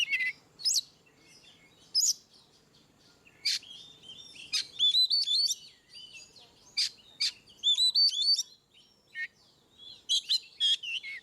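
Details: Oriental magpie-robin song in the ngeplong style, used to prompt birds that rarely sing: loud, varied phrases of whistled upslurred and downslurred notes mixed with sharp high chirps and buzzy bursts, in irregular bouts separated by short pauses.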